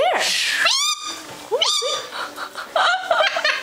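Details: Six-year-old pet male galah (rose-breasted cockatoo) laughing in short squeaky bursts with rising and falling whistled notes, indoors, with a woman's voice nearby.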